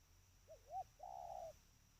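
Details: Trained spotted dove giving a close, clear coo: two brief arched notes leading into a sustained, softly buzzing note about half a second long.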